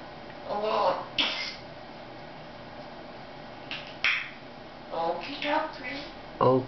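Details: Female African grey parrot talks in short, speech-like phrases such as "okie dokie" with a few sharp clicks, separated by pauses, in a quiet room with her owner.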